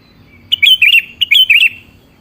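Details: Sooty-headed bulbul giving a cheerful liquid song, used as a lure for a bird to reply: two quick phrases of three bright, rising and falling whistled notes in close succession, background otherwise quiet.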